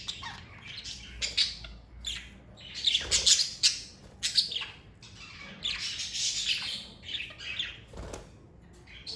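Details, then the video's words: A pet budgerigar flock keeps up continuous scratchy chattering, mixing sharp squawks, rapid chirps and warbled phrases that rise and fall in loudness without a steady rhythm. "Birds Chirping Sound Effect!"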